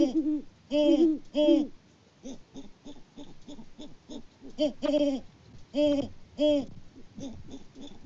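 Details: Hooting exchange between a wild Great Horned Owl pair on a farm in Peabody, Kansas, February 2024, male hidden from view. Loud deep hoots come in paired bursts separated by quieter, softer hoot runs.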